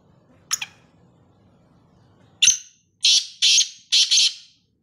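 Black francolin giving a harsh, grating call: a sharp opening note, then four loud rasping notes in quick, rhythmic succession, with faint low background hum.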